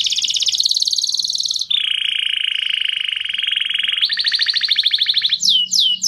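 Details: Canary singing to prepare hens for mating, with long steady high trills, a deeper buzzy roll, a faster rising trill, and a few sweeping whistled notes at the end.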